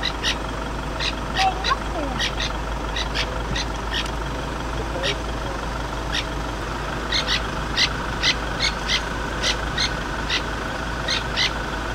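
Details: A francolin gives harsh, rapid, repeated alarm notes in bursts at a leopard sighting, over an idling vehicle engine.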